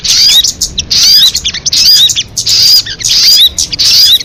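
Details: Crested jay calling: dense bursts of harsh, hissy chatter laced with short sharp slurred whistles, in roughly five loud groups separated by brief gaps.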